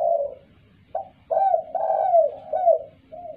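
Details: Spotted dove calling clearly, used to lure other birds: a series of low, hollow coos, some with a short rising start and a longer drawn-out falling note, with brief pauses between.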